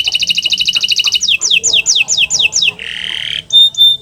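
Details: Canary master song meant to coax non-singing canaries into song: a rapid high trill, then a series of downward-sweeping whistles, a harsh buzzy rasp and short clear tones.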